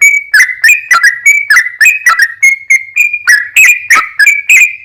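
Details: Sooty-headed bulbul pouring out long 'ropel panjang' song as a lure for other birds to respond: fast string of ringing, slightly buzzy whistled notes, about three per second, alternating higher and lower pitches.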